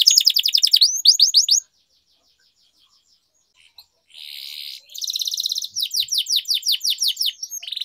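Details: Canary training song with long rolls, a lure for canaries that have gone quiet: quick high trills, a silent gap, a buzzy rasping burst, then repeated bright downslurred notes in rhythmic series.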